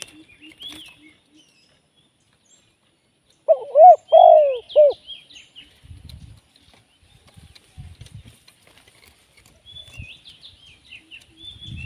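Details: A caged Spotted dove used as a live decoy for trapping gives a single mellow cooing phrase of several notes midway through. Otherwise scattered high chirps of small birds and a few soft low thumps.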